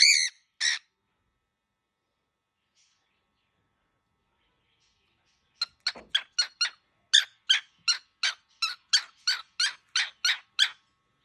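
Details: An angry baby cockatiel makes two harsh squawks, then falls silent before a long rapid series of short, rasping, buzzy notes repeated almost three per second.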